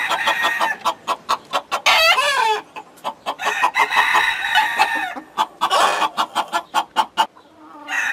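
A rooster crows in long, wavering, harmonic calls among a steady run of short, rhythmic hen clucks, several per second, throughout.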